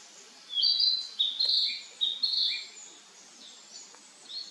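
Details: Narcissus Flycatcher in a forest park during a hot July summer, 2025: a series of short, clear whistled phrases, each slightly different, some sliding and some lower warbles, spaced irregularly over four seconds against a quiet background.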